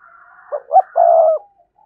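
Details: Spotted dove's full song, aimed at rousing caged doves: a faint hum, then two short punchy notes and a drawn-out raspy coo lasting about half a second.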